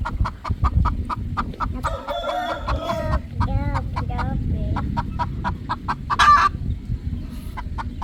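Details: Evening sunset on a poultry farm with three roosters relaxing; a fast train of clipped clucks, interrupted midway by drawn, wavering nasal calls and a sharp burst near the end.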